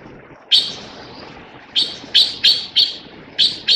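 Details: Taiwan blue magpie: a single harsh, grating note, a pause of over a second, then a run of five rasping notes spaced about a third of a second apart, against steady faint hiss.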